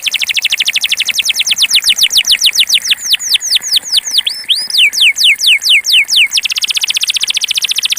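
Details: Pure Belgian canary singing in the campainha bell style: a loud, fast series of sharp, downward-sweeping whistled notes, about two to three per second. The middle section shifts to looping, wavering phrases before the rapid ringing notes resume.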